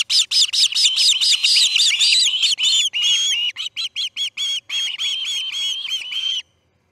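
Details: Fledging day at the Charlo osprey nest, August 10, 2018, dawn: loud, harsh chirps in rapid sequence give way to cleaner, evenly spaced whistled peeps that run for about six seconds.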